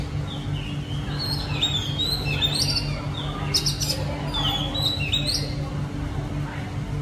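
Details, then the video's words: Oriental magpie-robin in the city, giving varied clear whistled phrases and chirps, some sliding up or down, with sharper bursts midway, over a constant low mechanical hum throughout. "เสียงนกกางเขนบ้าน ธรรมชาติในเมืองกรุง"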